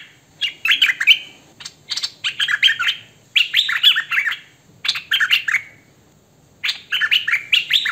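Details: Repeated phrases of hwamei "thơm mồi" song: energetic bursts of sharp notes and fluid warbling whistles, each lasting about a second, divided by short pauses, in a quiet setting.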